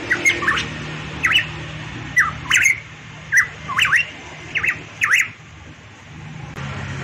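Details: Variable pitohui from Papua in vigorous song, a run of loud, zigzagging whistled notes about every half second, fading to quiet near the end, with clicks and low hum.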